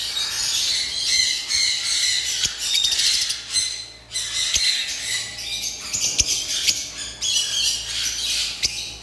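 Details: Lovebirds at a bird farm, a group chattering in shrill high squawks that come in loud bursts separated by brief lulls, over a faint low hum.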